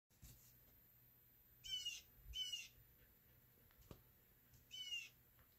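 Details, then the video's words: A blue jay that spent days yelling at a cat sitting in a window, from the garden and the roof, gives three harsh, buzzy jeers, two in quick succession and a third after a pause, over a faint steady hum. "blue jay messing with cat"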